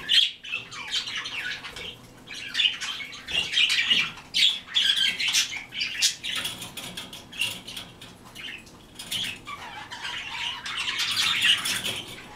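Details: White-faced cockatiels, several birds, giving harsh, scratchy chirps and screeches in overlapping bursts, fairly steady throughout and busiest near the end, mixed with sharp clicks and flutters that may be wingbeats.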